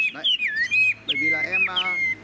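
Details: A tame male Chinese Hwamei, said to sing well without a female, sings loud, clear whistled phrases with rich, sliding notes, while a man talks over the bird.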